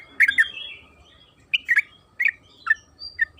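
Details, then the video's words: Yellow-vented bulbul (trucukan kebo) used as a lure to make other bulbuls sing: a few scattered bubbly, liquid phrases with pauses between them, over a steady faint electronic hum. "Pancingan trucukan agar bunyi‼️Suara burung TRUCUKAN KEBO Gacor ropel Panjang"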